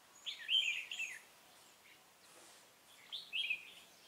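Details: Red-whiskered bulbul acting as a trap decoy, 16 November 2017: two loud, rich warbled phrases, each a rolling, slurred whistle about a second long, separated by a quiet gap.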